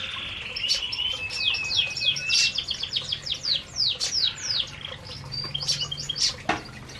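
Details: Group of canaries feeding in an aviary: after a brief flat whistle, rapid high downslurred chirps stream in overlapping runs, with one sharp click-like sound near the end.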